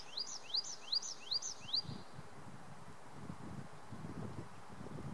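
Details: Tree pipit singing in early June 2019 on the Schomberg ski area at Wildewiese, Sauerland, Germany: a fast series of about five rising, slurred notes, then quiet, over steady rustling background noise.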